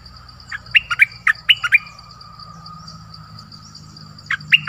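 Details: Dok Taeng decoy bird recorded in the forest on 13 January 2021 calling for a mate. An uneven series of about eight sharp chirps, silence with a low background rumble, then two final chirps over a persistent high drone.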